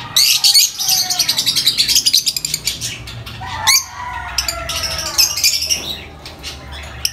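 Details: Noisy lovebirds in a dense run of rapid, high-pitched chirps, fast and uneven, with sliding whistled notes woven through the chatter.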